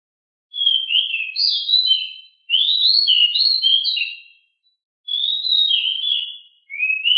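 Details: Pied bushchat in 'ngeroll' rolling song, described as very agile and noisy: repeated bursts of quick, bright, high twittering notes gliding up and down, separated by brief pauses.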